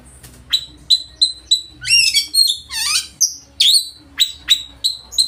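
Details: Oriental magpie-robin (kacer) delivering loud, varied song to goad rivals into singing and tail-spreading: piercing whistled notes mixed with harsh buzzy bursts, a descending swoop and quick repeated chips at a lively pace.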